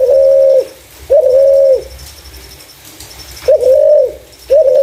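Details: Clear call of a spotted dove used to lure other doves: four steady, level coos in uneven spacing, with a faint, high, pulsing tone in the background.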